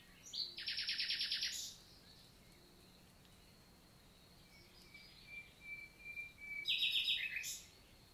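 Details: Nightingale in countryside forest of the Lot, southern France, June morning: a rapid rattling trill of repeated notes, a long quiet gap with a faint thin whistle, then another short fast trill.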